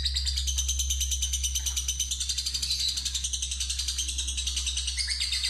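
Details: Fighter lovebird answering or hearing a lure meant to trigger a long ngekek trill: continuous rapid rattling chatter, finely pulsed and high-pitched for over five seconds, with a constant low hum in the room.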